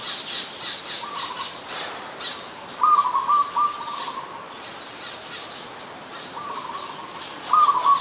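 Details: Adult zebra dove at Ubon Ratchathani, Thailand, 28 December 2020: three soft stuttering trilled coo phrases, the loudest near the middle and end, with a background of high, repeated twittering from other birds.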